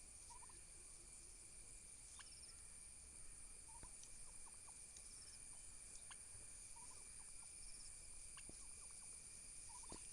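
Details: Fighting domestic turkey toms battling for dominance: brief, clipped gobble rattles at irregular intervals with occasional sharp clicks, under continuous hiss and a high electrical-sounding whine.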